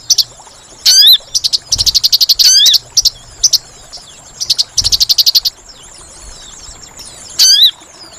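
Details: Sooty-headed bulbul lure call for trapping, mixing swooping whistled notes with rapid buzzy chatter trains and scattered short chips, with brief pauses between the phrases.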